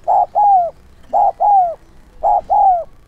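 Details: Spotted dove decoy bird cooing to attract wild doves: three evenly spaced two-part coos, a flat short note followed by a longer drawn-out note that falls at the end.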